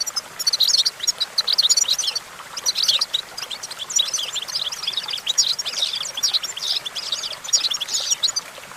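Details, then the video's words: European goldfinch perched on a branch, singing a fast, high, tinkling twitter of chirps and trills in bursts with brief pauses, the phrases starting and stopping irregularly. "Discover the stimulating sounds of the natural the goldfinch"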